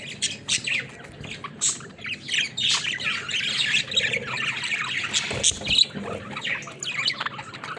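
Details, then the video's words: Caged budgerigar flock playing, giving irregular sharp chirps and squawks in quick clusters, with scratchy chatter between them and some clicking knocks. "Watch These Happy Budgies Play in Their Cage"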